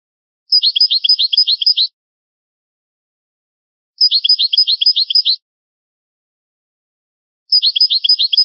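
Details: European goldfinch singing on a rare old recording of the original song: the same short, rapid, chattering trill of quick notes is repeated three times, about every three and a half seconds, with silence between.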